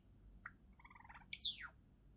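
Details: A Java sparrow's song: a single short chip, then a quick run of about eight soft, slightly falling bell-like notes, ending with a bright, sharply descending whine.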